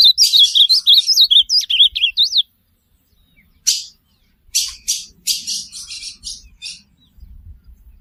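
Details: Ultramarine grosbeak, used as teaching audio for a pet bird, delivers a lively warbled run of looping whistles for over two seconds, then a silent gap and a string of raspy, noisy bursts.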